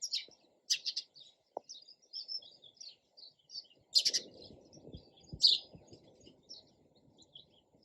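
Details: Sparrow chirping steadily: sharp high chirps, some doubled, with fainter chirps between and a rumble of background noise in the second half.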